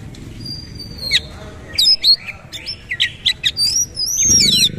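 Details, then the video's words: Kacer (oriental magpie-robin) performing 'gaya sujud' bowing song: long high drawn-out whistles, clipped chips and scratchy notes, with a low rumble rising near the end. "KACER SUPER POWER NEMBAK GAYA SUJUD SUJUD"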